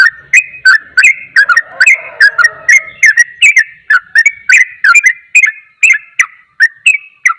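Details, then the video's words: A sooty-headed bulbul sings its fast 'ropel' song, said to anger other bulbuls. Quick whistled phrases run without pause, each note dipping and rising with a sharp click, with a faint lower warble early on. "Trucukan ropel, trucukan lain akan emosi dengar suara trucukan ini"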